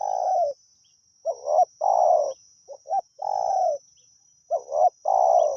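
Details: Spotted dove at Pa Roi calling continuously during decoy calling, with low soft coos in repeated phrases of brief notes leading into longer rolling coos, and a steady high-pitched hum in the background.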